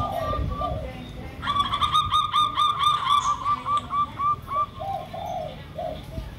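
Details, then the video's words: Local zebra dove, perkutut lokal, used as a lure with a derkuku: after low opening coos, a long fast rattle of evenly spaced high notes runs for about three seconds, then deeper coos resume. "Pancingan Ampuh!! Perkutut Lokal Misterius dan Derkuku Kuk 2"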